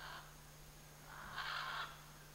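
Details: Scarlet macaw of a pair in the Chiquibul area giving one hoarse, rasping squawk after the tail of an earlier call, over a low continuous hum.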